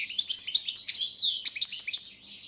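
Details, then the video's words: Bred goldfinch of subspecies balcanica singing for a 2016 internet world championship organised in Serbia: continuous lively high twitter of quick chirps, slurred whistles and buzzy notes with no pauses. "Pesma štiglića 004/22 World Championship in Goldfinch Song"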